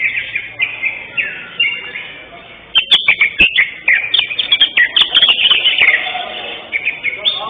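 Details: Greater green leafbird, the first-place winner in session 5 of a singing competition held 11 October 2025, giving quick bright slurred whistled phrases, at first spaced about half a second apart, then crowding into a dense chattering run, with sharp clicks and knocks between.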